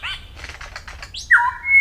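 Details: Superb Lyrebird in cool temperate rainforest of the Dandenong Ranges, recorded in 2023, mimicking: a run of faint, quick chattering notes, then a loud, clear whistle that dips briefly and then holds steady.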